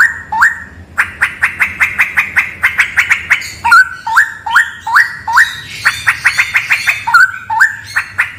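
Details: Straw-headed bulbul in a cave, singing a dense series of rapid ticking notes broken by bright, upward-stepping whistles that recur several times over a faint background hum.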